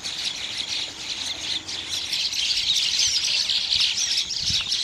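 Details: Bank mynas, a flock of birds that nest beside river banks, calling together: dense overlapping harsh squawks and chatter, continuous and busy throughout, with faint low thumps underneath.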